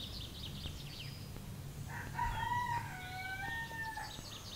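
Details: Early-morning crow of a rooster in Zgornja Kungota, Slovenia, near a forest: a strong crow lasting about two seconds that steps down in pitch in stages, with songbirds chirping at the start and end and steady low background noise.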